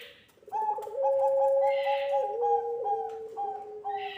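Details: Puter pelung dove cooing actively, used as a lure and tutor recording for young doves: long, level, hollow tones held for about a second, stepping slightly lower in pitch, with brief clicks and soft rustles between.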